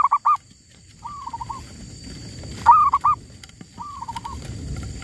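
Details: Zebra doves calling in the wild during trapping, where a female was taken. Loud clipped double notes alternate with softer fluttering trills, about four phrases over light background rustle and hiss.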